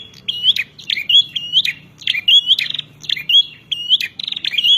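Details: Bar-winged prinia singing to challenge rivals, a rapid run of loud chipping notes each ending in a bright rising whistle, phrases repeated back to back with short gaps.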